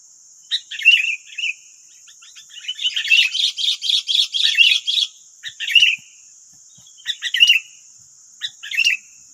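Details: Sooty-headed bulbuls, nine wild birds against one decoy in West Lampung, Indonesia, give a dense run of rapid chattering notes between clear, slurred chirp phrases, backed by a constant high insect whine.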